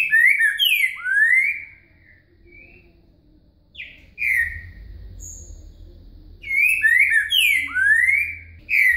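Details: Green-winged saltator singing in the boca mole com virada style, offered as song lessons: loud, rich whistled phrases with slurred, falling and rising notes in three bursts separated by pauses, over a low background rumble.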